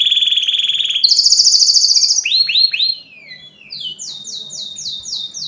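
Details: Singing canary, played so other birds can learn by listening. A fast pulsing trill climbs into a higher rattle, then comes a string of downslurred whistled notes and finally repeated quick sweeping chips.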